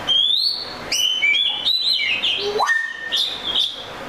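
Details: An Oriental magpie-robin gives a rich whistled phrase: a long wavering high whistle, then warbled notes and a low note sweeping steeply upward before a final bright whistle.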